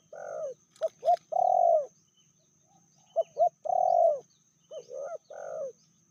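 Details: Spotted dove, Indonesia, medium-voiced, from a pair where the female outdoes the male in fierceness. Quick double notes lead into long rich coos that sag at the end, repeated three times with clicks early on.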